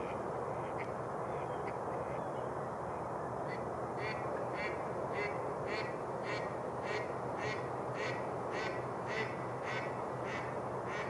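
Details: Mallards flock at Rush Lake, New Brighton, Minnesota, at open water near shore as the ice melts in spring. A few scattered quacks give way to a steady run of about fourteen quacks, nearly two per second, over continuous rushing noise.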